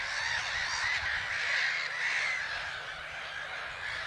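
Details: Many Black-headed gulls calling at Haaksbergerveen, Twente, Netherlands; a steady wash of raspy, overlapping colony calls with a few clearer squealing notes above the din.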